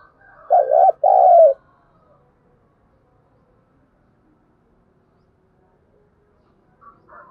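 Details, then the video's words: A spotted dove gives its training lure coo, a mellow two-part phrase of low, slightly wavering notes near the start, followed by several seconds of near silence and a faint sound cut off at the end. "Tiếng chim cu gáy kích bổi nhanh nổi, Tiếng cu gáy mồi thúc luyện bổi"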